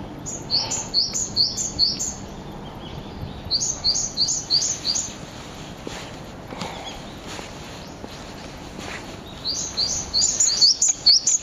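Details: Two Japanese tits calling loudly on a bridge at the edge of an ecological garden on April 18, giving alarm calls: three bursts of sharp, high two-part chirps, each rapidly repeated five or six times, with quieter background hiss between bursts.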